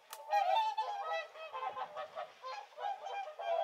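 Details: Whooper swans, Finland's national bird, feeding on a winter lake in Kuusamo, Finland; a steady run of nasal, bugling honks with rich overtones, several birds overlapping, calling almost continuously with short pauses between bursts.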